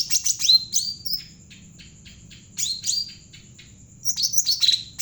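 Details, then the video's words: Bulbul known locally as cucak ranting jawa, singing actively as a lure for training birds: quick clusters of bright chirps and falling whistled notes, separated by quiet gaps, a steady faint high whine throughout. "burung cucak ranting jawa gacor cocok buat pancingan burung bahan"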